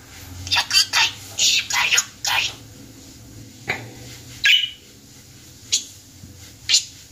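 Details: A pet budgerigar talking chatters in a rapid, high, scratchy run of speech-like syllables, then adds a few short sharp chirps with brief pauses between.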